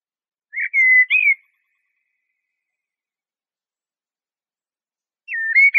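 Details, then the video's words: Eurasian blackbird song: two short fluting whistled phrases near the start, then a long silence before a further warbled phrase at the end. Clean recording with no background noise. "تغريد طائر شحرور (جحمومية)Merle noir"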